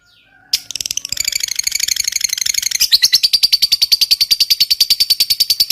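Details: Lovebird ngekek panjang, a long chattering bout meant to coax silent lovebirds into singing: after a brief pause, a dense buzzy chatter begins, then settles into fast, even, high kek notes over a few seconds.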